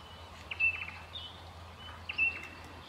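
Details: An inquisitive Little Lorikeet gives two shrill, high, slightly buzzy screeches about a second and a half apart, over a faint low hum.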